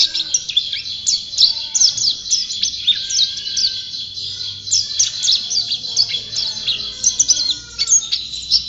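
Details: White-eye in full song: a fast, continuous stream of high, thin chirps and twittering whistles, densely packed and rising and falling without pause.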